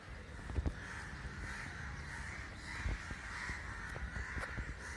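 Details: Crows gathered in a large group, a behaviour described as unusual and unexplained; many harsh caws overlap into a dense, continuous chorus, with low rumbling noise and a few sharp knocks underneath.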